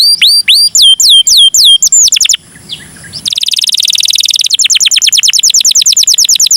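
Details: Canary singing cengkok mewah, a lure song for other canaries. Curling whistled notes come first, then a short muffled pause, then a buzzy high roll that turns into a quick, steady chop of repeated notes.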